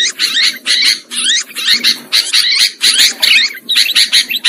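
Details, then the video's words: Sooty-headed bulbul calls used as a lure sound for trapping birds: dense, harsh, scratchy chattering bursts about twice a second, with a few quick whistled notes woven in and brief gaps between bursts. "Suara Pikat Burung Kutilang"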